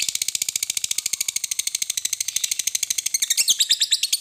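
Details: Lovebird in full ngekek song, the long chattering used to prompt other lovebirds to sing; dense, rapid, buzzy pulses at about three a second, turning more jumbled and varied near the close.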